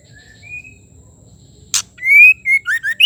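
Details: A faint whistle or two, then a sharp harsh burst, then the female white-rumped shama's loud rising clear whistle and three or four quick looping whistled notes; her calling is used to rouse a male to song.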